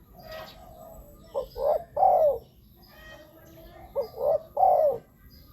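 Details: Spotted dove cooing, a recording meant for luring wild doves to ground, branch or cage-trap decoys: two low, hollow three-note coo phrases, each swelling to louder final notes, about two and a half seconds apart, over faint background hiss.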